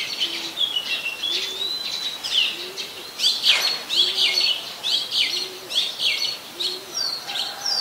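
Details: Oriental magpie-robin singing in Ubon Ratchathani, Thailand, 24 December 2020: varied whistles, chirps and warbled phrases throughout, over a soft low cooing note repeated about once a second in the background.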